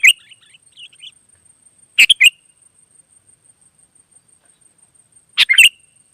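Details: Wild sooty-headed bulbuls calling back: faint, soft warbled notes at first, then two loud, sharp double chirps spaced a few seconds apart.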